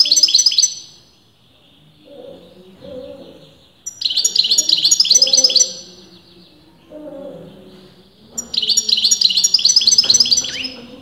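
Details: Kept European goldfinch, its sex disputed among experienced breeders, in continuous song: three short bright jingling bursts of rapid high twitters, each under a second, about four seconds apart, with faint low murmuring between them.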